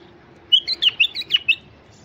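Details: Iraqi white-eared bulbul, an adult male, singing to draw in wild bulbuls: a quick run of about seven clear, rich whistled notes, rising and falling, packed into one second over faint background hiss.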